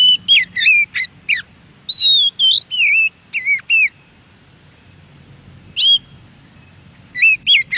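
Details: Wild Oriental magpie-robin giving a rich song of loud, fluty whistles that swoop down and rise again, in fast groups of three or four notes with brief gaps, over a quiet low hum.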